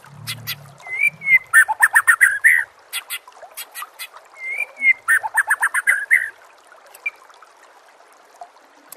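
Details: White-rumped shama song for training captive birds: two phrases, each opening with a sliding whistle and running into a fast run of sharp repeated notes, with a pause between. A low hum is heard briefly at the start.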